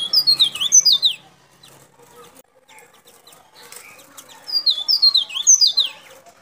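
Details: White-breasted white-eye, a local Sulawesi bird from Baubau, Buton, used for luring wild birds: two fast bursts of high, sliding, downward twitters, one at the start and one near the end, with a quiet gap between.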